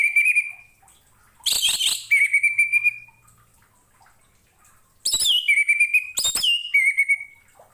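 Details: Song of the orange-headed thrush, or anis merah, offered for training other songbirds: four bursts of sharp high notes that each slide down into a sustained, slightly trilled whistle, separated by short quiet gaps.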